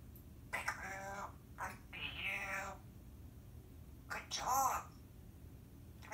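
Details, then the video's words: Timneh African grey parrot talking indoors, producing short voice-like phrases in several bursts, including a drawn-out meow-like sound near the end, with a low room hum throughout. "Talking - Timneh African Grey Parrot"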